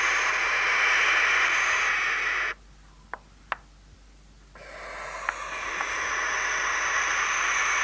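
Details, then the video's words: A wild barn owl calling at night gives long, harsh, hissing, rasping screeches, one over two seconds long, then a short pause with faint clicks before another drawn-out scream. "Barn owl sounds"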